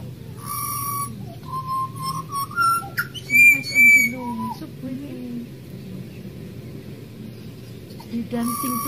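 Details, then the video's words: Wild Australian pied butcherbird song: bell-like whistled notes stepping upward, a bright sliding phrase and clicks, then a lull of quieter murmuring before a final clear whistle, low hum underneath. "Australian pied butcherbirds Excellent singer!"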